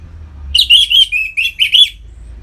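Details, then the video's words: Orange-headed thrush ngeplong song for stimulating kept birds: a brisk run of five or six clear, slightly buzzy whistled notes at an even pace, with a soft low hum behind. "Suara Ngeplong ANIS MERAH Gacor Memancing Burung Agar Birahi dan Lanjut ke Tahap Teler"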